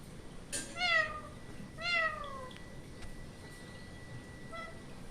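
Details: Two descending, harmonic wailing calls from an Indian ringneck parrot, about a second apart, over a faint steady whine.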